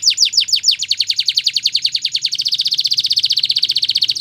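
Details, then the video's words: High-pitched song of a Belgian canary, training material for young birds: rapid repeated downward-slurred chips that speed up into a tight, even, rattling trill. "Canary Singing Training !! Belgian Canary"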